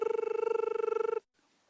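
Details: A crested barbet in the African bush on a July sunrise morning gives a steady, rapid, buzzing trill at an even mid pitch, about twenty-five pulses a second for just over a second, then quiet.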